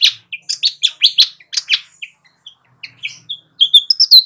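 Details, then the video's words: High, sharp chirps from a flycatcher, played to attract wild birds: dense clipped notes in the first half, a brief lull, then thin whistled downslurs and squeaks at the end. "suara burung sikatan gacor cocok untuk mikat di alam liar"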